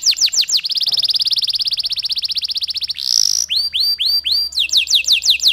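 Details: Long canary song with pauses, played to set other canaries singing: quick falling whistles, a long rapid even trill, a brief harsh burst, then spaced descending notes and fast repeated sweeps.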